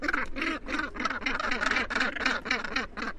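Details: Harsh, rhythmic croaking from Northern gannets nesting on Helgoland's cliffs comes about four times per second, each call rough and nasal.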